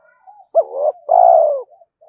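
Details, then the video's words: Spotted dove cooing to provoke other doves: soft cooing in the background, then a sharp rising note, a swelling short phrase and one long falling coo, with faint cooing after. "tiếng cu gáy kích bổi mỗi ngày"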